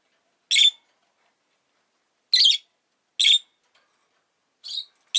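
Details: Rosy-faced lovebird giving harsh, scratchy chirps, four short bursts spread irregularly over five seconds, with quiet gaps between them.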